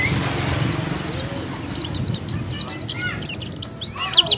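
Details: Oriental white-eye 'buka paruh' song for starting birds singing: a rapid series of high, downslurred chirps, about three a second, over a noisy background with some lower-pitched calls near the end.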